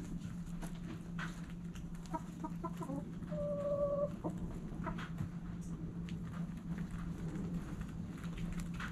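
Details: Backyard chickens at morning sunrise: hens give short, harmonic clucks in a quick uneven series, then a drawn-out steady tonal note, over a constant low hum.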